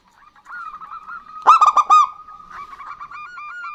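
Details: Female and male local zebra doves singing together: a steady wavering run of soft coos, broken midway by a loud burst of four quick resonant notes, then more gentle hooked coos continuing.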